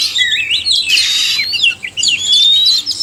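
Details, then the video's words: Oriental magpie-robins, male and female, in a sung chorus meant to stimulate caged birds; twisting whistled notes rise and fall over a harsh burst, followed by a long rising whistle and twittering. "suara kacer/sekoci jantan dan betina merangsang bunyi"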